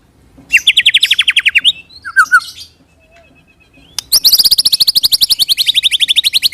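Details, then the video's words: Murai batu, the white-rumped shama, in rolling 'roll tembak' song meant to lure other shamas into answering: a fast trill of about fourteen notes, a pause with a few softer calls, then a longer rapid roll of some twenty-five notes. "pancing murai dengan roll tembak ini murai batu manapun akan respon bunyi ngerol"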